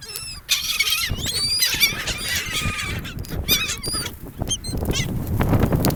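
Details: A flock of seagulls on a gulf beach near people calls busily, with high, bending, squealing cries and rapid chattering yelps overlapping, against waves washing on sand.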